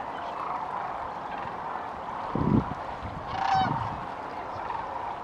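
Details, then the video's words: Sandhill cranes on a late-February migration stop near Kearny, Nebraska: a softer distant chorus of rattling calls, one nearer bird giving a clear, ringing trumpeted note midway, and two low thumping bursts of noise. "The Sandhill Crane Migration"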